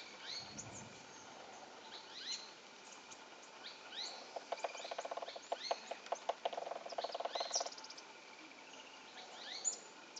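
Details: A Golden-olive Woodpecker (Colaptes rubiginosus) pecks a trunk in a rapid, drill-like, uneven burst of knocks lasting about three seconds, other birds chirping high behind, on the Caldas-Angelópolis road, Antioquia, Colombia, 2012; finding: Golden-olive Woodpecker.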